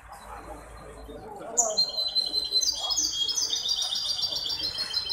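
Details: Song of a hybrid goldfinch entered in the Ain Chock association's singing contest, 23 May 2021. A quiet start is followed by bright, high, tinkling trills repeated in quick bursts, with a low murmur of voices behind.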